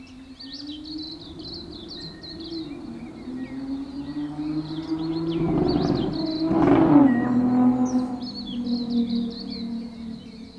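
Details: Dawn chorus of New Zealand native birds in a backyard in Auckland: rapid high chirps and short whistles overlap throughout, over a steady low droning hum.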